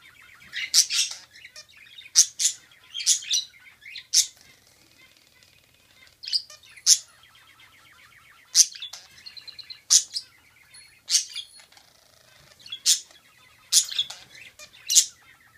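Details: A pair of budgerigars trade sharp, high chirps and clicks in quick bursts while flirting.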